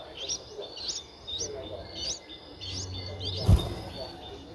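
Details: Nine-day-old Streak-eared Bulbul chicks in Ubon Ratchathani, Thailand, on 11 April 2023. Thin rising chirps come in a spaced series, with a low hum and a loud thud toward the end.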